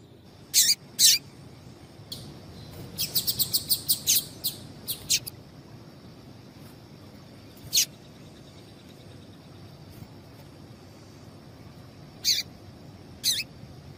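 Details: Female double-collared seedeater giving sharp, high chip calls, singly and in a quick burst of about eight, over a steady high hiss, used to stimulate males to sing.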